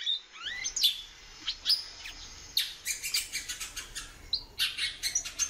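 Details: Female great-billed seed-finch, a kept bird, calling often. It gives rising and falling whistled notes, then a run of rapid clicking chirps with brief pauses between bursts.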